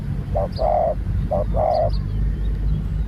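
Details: Spotted dove under training as a new bird: two cooing phrases, each a brief double note then a drawn-out hoarse coo, with a constant low rumble and thin high chirps behind.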